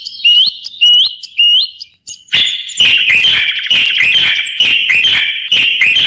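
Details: Three looping whistled notes, each rising then dipping, from a common bulbul, followed after a brief pause by a long, loud, sustained warbling phrase broken by regular sharp clicks.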